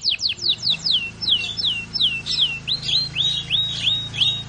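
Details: Canary song of loud, high downslurred whistles repeated roughly three times per second, some notes bending up then down, over a steady low hum.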